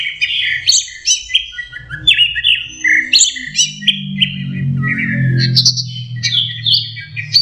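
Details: Juvenile orange-headed thrush learning to sing delivers varied, rapid, high-pitched warbled phrases, short whistles and slurred notes repeating in uneven bursts, with a soft low hum underneath.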